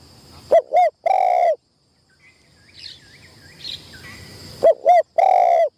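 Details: . Decoy spotted dove in Thailand on its first training session at a trapping tent. Each coo phrase has two short notes and then one longer, drawn-out note. The phrase is given twice about four seconds apart, with faint chirps of other birds between.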